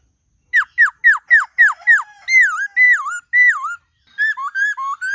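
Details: White-cheeked laughingthrush singing a varied, many-voiced forest-style song: a run of six quick downslurred whistles, then longer wavering looped whistles, then short rising and falling notes after a brief pause.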